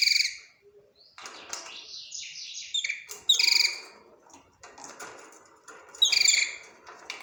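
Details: Budgerigar singing a varied chatter of harsh squawky notes, rising and falling warbled phrases and clicks, with brief gaps between bursts.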